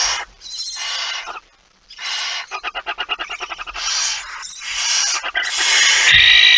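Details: Barn owl with a mouse, 17 September 2019 at 06:11: rough hissing bursts, then a rapid train of rasping clicks about four per second, followed by more drawn-out hoarse hisses.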